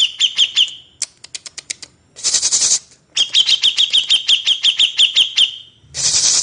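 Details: Grey-cheeked bulbul master song for cage-bird training. Quick high notes with a falling twist come in fast runs and alternate with spaced dry clicks and rushing hiss-like bursts. One long run of a dozen notes dominates the middle.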